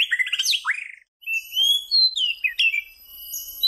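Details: White-rumped shama singing a burst of quick chattering notes and a swooping slur, then after a short gap, sustained clear high whistles that rise and fall.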